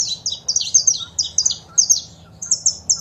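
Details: Saffron finch song with female calls, played to kept birds to trigger singing. Quick string of bright, high chirped notes, ending in three evenly spaced sharp whistles.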